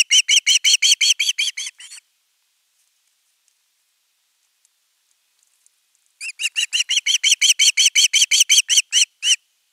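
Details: Osprey begging for fish at nest 3, 10 August 2021. A burst of rapid shrill whistles fades out, and four seconds of near silence follow. Then a longer, steady series of piercing notes starts again.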